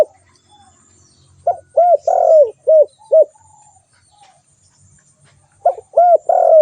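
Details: Spotted dove cooing: a quick series of short, rounded, low hoots around one longer, falling, buzzy coo. After a pause a second burst of similar notes follows.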